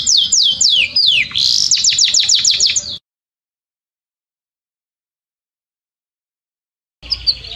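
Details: Belgian canary teaching song: quick swooping whistles run into a fast repeated chip trill for three seconds, then several seconds of silence before a brief return of high notes.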